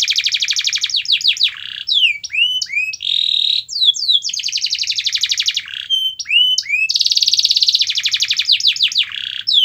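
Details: Canary song played so a reluctant canary sings: varied phrases of fast rolling trills alternating with downslurred and upswept whistles and brief steady tones, continuous and loud.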